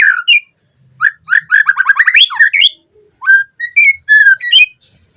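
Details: White-rumped shama song used as a fast lure for training captive birds: rich whistled phrases, a rapid run of repeated rising notes, then clear slurred whistles with pauses between bursts.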